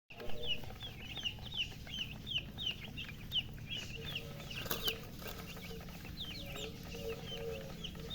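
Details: Newly hatched domestic chicks chirping loudly: high, short peeps repeat steadily throughout, several overlapping, with occasional lower clucking notes and faint knocks in the background.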